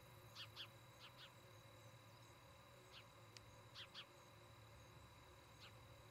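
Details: From a Charlo, Montana nest camera on 17 August 2018, an osprey at the nest repeats paired shrill whistled chirps roughly every second or two, with a single chirp at the end and a low hum throughout.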